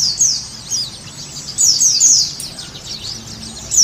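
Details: Sunda white-eye song used as a lure to get a caged bird singing: rapid high-pitched twittering notes falling in pitch, in short clustered bursts separated by brief gaps, faint low hum beneath.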